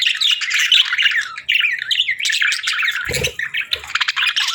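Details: Several budgerigars chatter nonstop in rapid warbled chirps and squeaks, with one brief low thud near the end.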